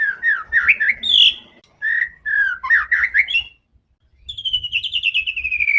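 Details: White-rumped shama singing fiercely to provoke rivals: jumbled bursts of chirps and whistles, then a long descending series of high trilled notes, with a soft background hum.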